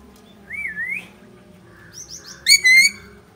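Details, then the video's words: A Jenday conure gives a rising whistle, a quick burst of high chirps, then a loud, harsh, ringing screech. "Jenday conure"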